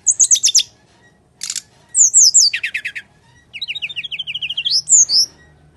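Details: Brown-chested jungle flycatcher singing a full fighting-style song, recorded as a lure for lazy singers: rapid high chirp series, buzzy trill, rising whistles and a long run of quick repeated notes.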